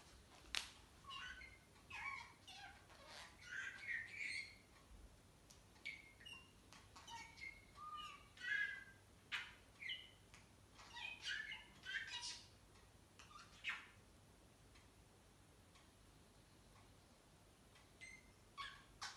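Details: A pet budgerigar chatters in quick bursts of scratchy chirps and squeaky warbles, with pauses between.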